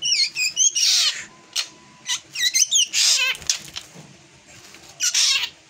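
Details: Drongo giving an unusual, out-of-the-ordinary song: a fast jumble of high whistled notes, some wavering or sharply rising and falling, mixed with harsh buzzy bursts and a thin steady whistle, delivered in uneven phrases.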